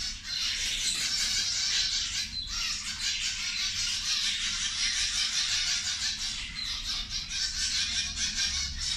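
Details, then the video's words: Constant wall of high, nasal chattering from a group of zebra finches busy feeding at lunch, steady loudness with no pauses throughout. "Australijske zebe ručak"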